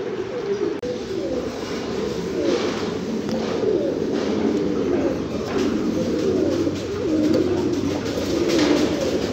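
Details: Many fancy pigeons cooing at once, a dense continuous chorus of low throaty rolling coos with occasional soft knocks and rustles.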